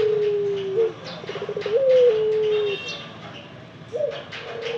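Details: Ringneck dove cooing: low, soft, drawn-out coos with slight rising inflections, a long sustained note followed by a brief break and another short coo, with faint background noise.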